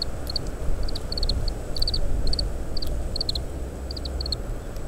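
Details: Oriental greenfinch feeding on summer camellia (Stewartia) seeds, giving quick, high twittering call notes in bursts of two to four about every second, recorded with a parabolic microphone in strong wind, over a steady low rumble.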